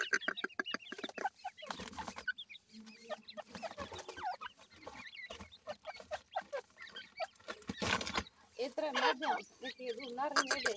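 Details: Several black francolin chicks fight in a house, producing rapid strings of clicky chirps, about four a second, mixed with wavering peeps and scraping noises.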